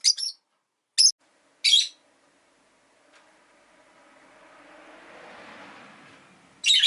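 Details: A few harsh, high chirps from caged pet rosy-faced lovebirds, five birds by a window in winter, are separated by a swelling rumble of a passing vehicle from the street outside.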